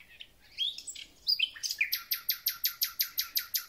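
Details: Thrush nightingale singing as spring begins: short scratchy notes lead into a long, loud, evenly paced series of clicking strokes about four per second.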